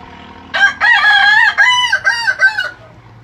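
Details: Kukuak Balenggek chicken, a Minang singing breed whose crow rises in tiers: two seconds of loud, harmonic crowing split into five or six bending syllables, slightly wavering in pitch.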